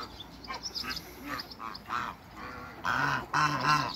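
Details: Soft high chirps from other birds open the recording before a backyard pair of African geese break in with a cluster of loud, harmonic honks in the final second and a half.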